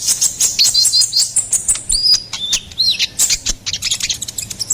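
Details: Ruby-cheeked sunbird song serving as a master and lure for songbirds: fast high chirping with several clear drawn-out whistles that rise and dip, amid sharp ticking notes.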